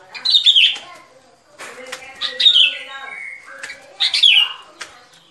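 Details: Lure recording of a sooty-headed bulbul used for bird trapping. Three short, loud phrases of liquid whistles that tumble downward, spaced about two seconds apart, with softer lower notes between.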